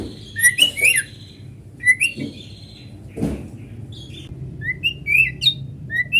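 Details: White-rumped shama lure song, natural sound, meant to get other shamas singing: clear, sliding whistles and sharp upward notes in loose bursts, with a few dull thumps in the background.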